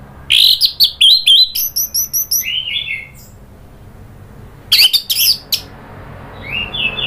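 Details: Orange-headed thrush provoked into excited singing: a fast run of loud, sharp, varied notes and squeaky phrases, a brief lull, then another short burst of chips and a rising squeaky note.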